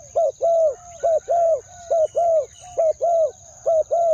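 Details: Spotted dove decoy calling wild doves with a two-word coo: loud, clear pairs of a short coo then a long slightly falling coo, evenly repeated about once a second, over a steady faint high whine.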